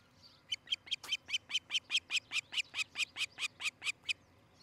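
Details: Osprey calling from a nest in Charlo, Montana, on a nest camera, morning of 13 July 2018. After a quiet start comes a rapid, even series of about seventeen shrill whistled notes, four per second, each clipped and high. Background otherwise calm.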